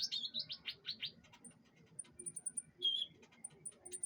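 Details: Kept canary at pengembunan, the morning airing of songbirds, delivering a string of rapid downward-sweeping chirps followed by scattered thin high ticks and a brief bright whistle.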